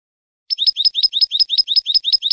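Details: Tutoring song of European goldfinch from a 2015 clean-song recording for young birds: a rhythmic trill of bright, clipped double notes, repeated about six times per second without a break.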